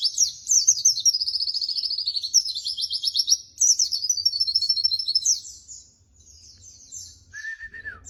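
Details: Training recording of a white-eye (pleci) singing: long runs of rapid, high, buzzy repeated notes that slide slightly downward, then a short pause and a brief steady whistled tone at the end.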